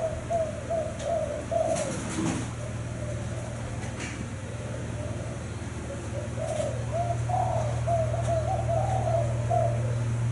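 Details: Caged spotted dove of a Thai line, described as a frequent cooer: low, soft coos repeated in a steady run of rounded notes, with a constant low electrical hum and faint clicks behind.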